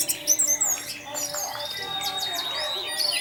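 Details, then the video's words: Short burst of orange-headed thrush lure song in the teler style: rapid high chips and trills, then a drawn-out level whistle and further quick sweeping notes. "Pancingan Burung Anis Merah Tarantula Anis Merah Teler untuk penggoda anis lain agar ikut teler"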